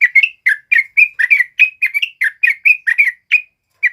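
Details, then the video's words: Lively sooty-headed bulbul song used to train other songbirds: rapid chattering phrases of short, bubbling whistled notes, about seventy per minute, almost continuous, with a brief pause near the end and a quiet background. "SUARA BURUNG TRUCUK KEBO GACOR NGALAS COCOK BUAT PANCINGAN DAN MASTERAN"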